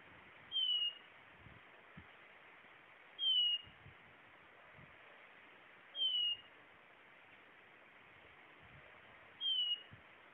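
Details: Blue-naped chlorophonia repeating a pure, high whistle that falls slightly in pitch, four times at roughly three-second intervals, over steady hiss with occasional low thumps.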